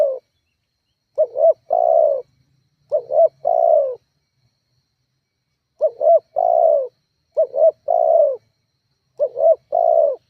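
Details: Spotted dove calling as a lure to provoke rivals: repeated three-part coos, two short rising notes then a longer falling note near 600, phrases spaced unevenly with pauses, no other sounds.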